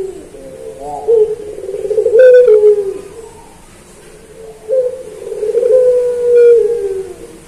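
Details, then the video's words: Kept puter pelung dove in a master recording for training birds: a soft lead-in, then a strong accented coo trailing into a long falling tone, a pause, and a second drawn-out coo. "Masteran Puter Pelung Manggung Atau Berbunyi"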